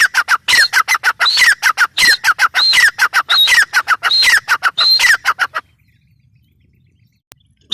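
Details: Grey francolin in a fast, loud series of harsh notes broken by high whistles rising at intervals. The calls last about five and a half seconds, followed by quiet.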